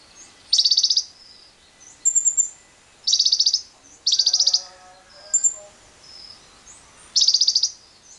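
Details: Lovebird lure recording, meant to stimulate other lovebirds into long trilling, mixed with wild birds: loud buzzy chattering bursts about half a second long, repeated every one to two seconds, with thin high trills and lower whistled notes from other birds.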